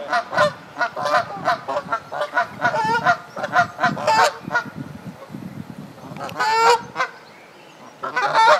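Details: Canada geese nesting and laying eggs on the South Pond in Midhurst, West Sussex, England, honk repeatedly in loud, nasal, harmonic-rich bursts, several calls per second, with brief quieter gaps between.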